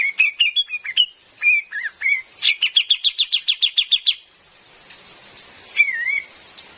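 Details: Cream-vented bulbul female, recorded with rain and played as a forest lure, gives quick chirped hooked notes, then a fast even train of about a dozen sharp repeated notes, then a lone wavering whistle over steady hiss.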